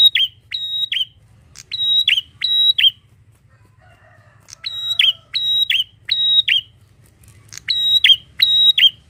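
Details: Bar-winged prinia singing loudly: short bursts of two to four sharp, metallic notes, repeated in series with brief pauses between.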